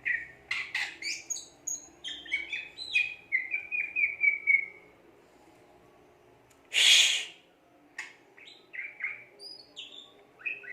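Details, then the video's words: Greater green leafbird singing actively: varied clear whistled notes and short slurred phrases, a descending run of bright chips, then a loud harsh burst midway, followed by scattered whistles. "burung cucak ijo gacor"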